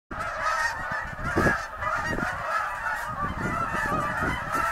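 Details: Snow geese resting on the St. Lawrence during spring migration north: a dense flock chorus of overlapping nasal honks and yelps, continuous and loud, with individual calls standing out over the constant clamour.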